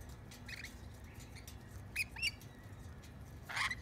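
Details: A few lorikeets taking bread crust by hand in a backyard give brief scratchy squeaks, a pair of sharp squawks near two seconds and a louder harsh burst at the end.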